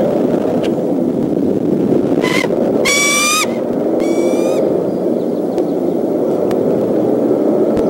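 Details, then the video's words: Upset bald eagle at the Decorah nest, April afternoon, alarm against an intruding fox squirrel: one short note, then two strong high piping chatters with stacked harmonics, over continuous low wind noise. "Intruder Alert ~ Mom & Dad Defend What's Theirs"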